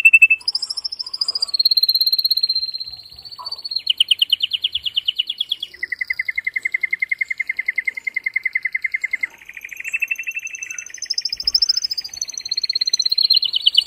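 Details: Excited, forceful song of a male canary meant to spur females and males into mating, a continuous run of buzzy rolling trills, each phrase held a few seconds before jumping to a higher or lower pitch.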